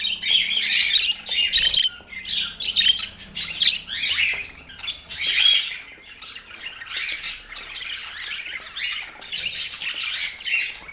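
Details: Budgerigar chatter in pulsing bursts of scratchy warbling, chirps and squeaky whistles, swelling and fading every second or two, with a faint low hum at the start.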